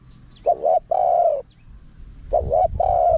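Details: Spotted dove in forest karam style, small voice, with khat and nun, played to lure wild doves in. Two phrases, each a quick two-part coo and then a long even coo, with soft high chirps faintly behind.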